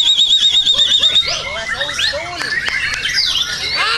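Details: White-rumped shama singing contest-training material: a long, even, quivering high trill for about a second, then a jumble of rising and falling slurs, sharp clicks and a final descending whistled sweep.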